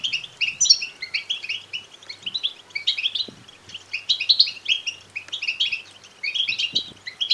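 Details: Chicks of the European goldfinch begging, a sound offered to rouse males to song and mating; clustered thin, high twitters rising and falling in waves, with only faint low clicks.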